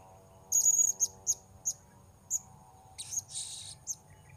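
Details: At Port Baru during bird-luring, a blue-crowned hanging parrot gives a string of thin, very high whistled notes, then a harsher buzzy burst, with a few more high notes after it.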